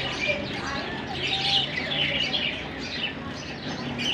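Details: Lovebirds from Larkana singing, a steady wash of high, squeaky chirps and twitters blending into a continuous chatter, with a faint low hum beneath.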